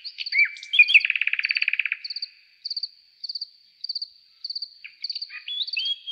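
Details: Nightingale singing in the forest at night: a loud rattling trill of fast even notes lasting about a second, then scattered whistled notes, while high insect chirps pulse regularly throughout.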